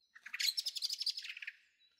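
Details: Young Eurasian blackbird, the second young bird, in a garden on 23 May 2013, giving a rapid rattling series of about twenty short, high chirping notes over roughly one and a half seconds, then falling silent.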